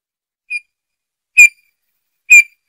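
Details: A Eurasian bullfinch gives three short, soft, piping downslurred notes, spaced about a second apart, with silence between.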